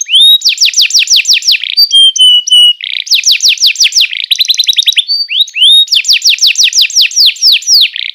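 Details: Continuous canary song used as a tutor for young canaries: loud runs of fast downslurred whistles alternate with flat buzzy notes and a rapid chattering trill, the phrases flowing without pause.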